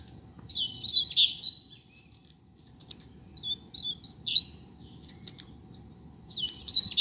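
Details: Rusty-collared seedeater of a street pair sings repeated short bursts of high, tumbling twitter separated by pauses of a second or more, with faint clicks between phrases.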